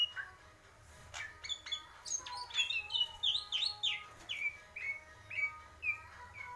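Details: Greater green leafbird in the purwo mendem gadong style, delivering clear whistled phrases that climb into a warbled run, then a string of evenly spaced falling whistles, with a steady low hum underneath.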